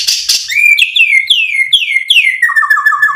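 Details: White-rumped shama (murai batu) lure song to provoke and excite: a harsh opening burst, then a series of clear whistles each dropping in pitch, ending in quick rolling lower notes.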